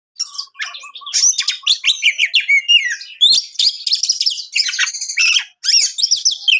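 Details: Magpie-robin in full song, meant to provoke rival magpie-robins: a dense, nonstop run of varied high whistles, trills and harsh chattering notes with almost no pauses, plus a low note repeated under the first half.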